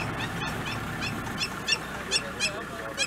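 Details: In Kenya's Masai Mara on 18 November 2018, a Crowned Lapwing calls insistently as a serval hunts close by: a run of sharp, piercing notes spaced roughly a third of a second apart, over low rumbling background noise.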